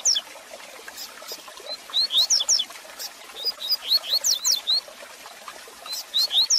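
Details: Double-collared seedeater song meant to stimulate and train a caged male: quick clusters of thin, high slurred whistles, rising and falling, in several phrases with short pauses, over steady background hiss and faint clicks.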